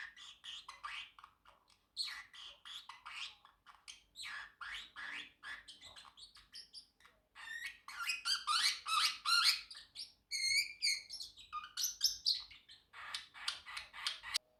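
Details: Pet Pacific parrotlet talking, chirping and singing: rapid bursts of harsh, squeaky chirps in quick runs, broken by short pauses, with a few clear whistled notes about two-thirds of the way through.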